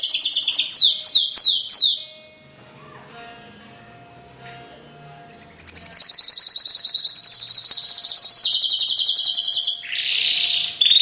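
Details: Pintagol song in two bursts: rapid falling high notes at the start, a quiet pause with a faint low hum, then a long fast high trill of repeated chips rising in pitch, ending in a harsher buzzy note.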